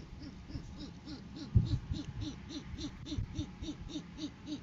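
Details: Great horned owl pair seen on a live camera in courting season, January 2023, with the male delivering food to the female. A steady run of short arched notes, roughly three per second, over low background rumble.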